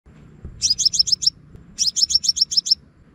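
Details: Scarlet-backed flowerpecker call, a lure recording for loudspeaker bird trapping in Vietnam: two quick bursts of about six thin, very high, downslurred ticking notes, each burst lasting under a second, with faint low background rumble.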